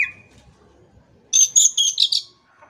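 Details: Kacer, the Oriental magpie-robin, giving a brief whistle, then after a pause a harsh, high, buzzy chattering phrase of four rapid pulses.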